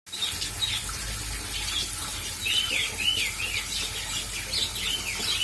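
A budgerigar chirps and warbles in short looping notes over the steady hiss of rain.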